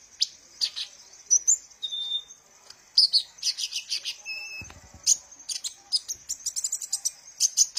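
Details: Sunbird song used to lure and stimulate captive birds: dense, high-pitched twittering with quick chirps, a short lower whistle early on, and another whistled note midway among busy trills.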